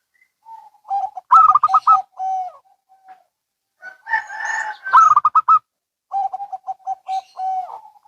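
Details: Zebra doves, local and Bangkok, answering each other with bursts of rapid higher coos over lower drawn notes; a short rough, noisy sound sits between two of the bursts.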